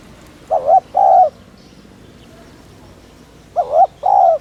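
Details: Spotted dove coo used to stimulate other doves: two phrases three seconds apart, each a quavering short hoot followed by a longer steady one, quiet between.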